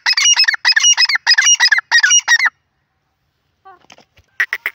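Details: Harsh, grating francolin (teetar) notes, several quick strident phrases in a row, then silence and a few faint chirps before a short loud burst resumes at the end.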